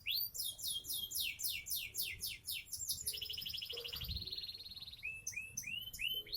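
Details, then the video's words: A seven-month-old Sonji SF canary kept caged in Indonesia sings repeated descending whistles, a steady buzzy roll, and then a few short upslurred notes. "Koleksi burung kenari SONJI SF kenari umur 7bln"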